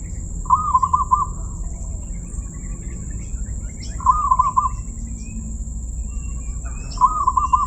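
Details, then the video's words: Zebra dove (perkutut) with a voice called crystal-clear: three short, beaded, rolling coo phrases at mid pitch, about every three seconds, over a steady high electronic whine and low background rumble. "perkutut suara keristal"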